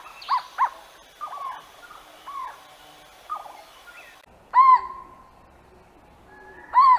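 A jungle owlet gives short, mellow, arched hoots: a quick loud pair, several softer notes, then two strong notes spaced about two seconds apart.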